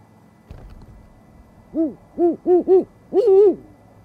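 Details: Owl at dawn beside an osprey nest in Charlo, Montana, on 29 January 2019: a series of five low, mellow hoots, the first four short and evenly spaced, the last longer and wavering, after a faint knock.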